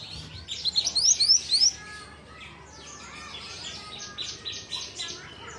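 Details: Juvenile pied bushchat under song training gives a series of six or seven fast, thin, rising whistled strokes in the first two seconds, followed by quieter chattering from surrounding birds.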